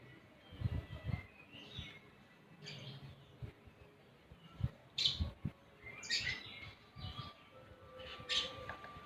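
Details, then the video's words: Javan grey-throated white-eye, described as reluctant to sing, giving short scattered bursts of bright, sharp chirps and twittering notes about once every one to two seconds, over steady background hiss with low thumps and knocks. "Cucak gentong / Opior jawa males"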